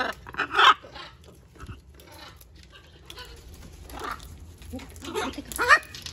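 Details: Wild macaws visiting a balcony: harsh, scratchy squawks, one near the start and one near the end, with softer rasping notes and low murmuring between them.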